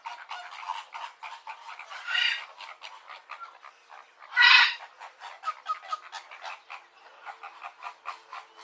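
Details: Flock of flamingos giving rapid rhythmic nasal grunting calls, steadily repeated, with two louder honking bursts rising above the chorus.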